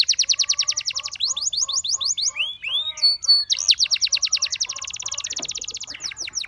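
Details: Canary singing to tempt other canaries to join in, with fast pulsed high trills, a few swooping whistles and rapid rattling phrases, plus a soft lower warbling trill throughout.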